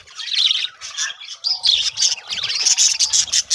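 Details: Colony of budgerigars kept for breeding, bright high chirps and fluttering warbled phrases in quick bursts, many birds heard together.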